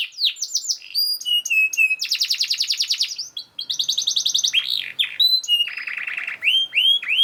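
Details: Canary master song to get other canaries singing: falling whistles, flat repeated notes, loud fast high trills and a lower buzzy roll, each tour lasting about a second.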